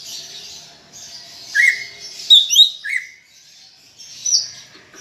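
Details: Greater green leafbird song for encouraging pet leafbirds to sing: scattered, varied phrases with a low slurred whistle, a burst of twisting high notes, and another falling whistle over faint high chatter.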